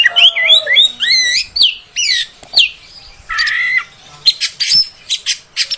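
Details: Female oriental magpie-robin calling to provoke males: wavering, looping whistled phrases followed by a harsh buzzy rasp and a series of short scratchy bursts, against a quiet background.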